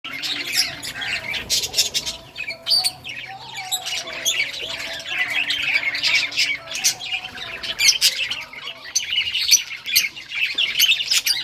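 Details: Several budgerigars of rare colour varieties chirping while playing with toys; a dense, continuous chatter of warbling and squawky notes with scattered sharp clicks and taps throughout.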